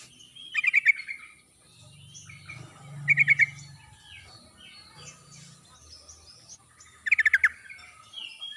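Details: Sooty-headed bulbul in a forest-style song used as a lure to prompt silent birds to sing: three short bright chattering bursts about three seconds apart, with low humming between them.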